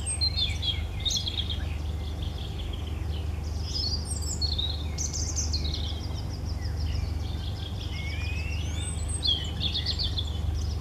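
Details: Robin song of bright, high-pitched twittering phrases, a few rapid trills and a rising whistle near the end, over a constant deep background drone.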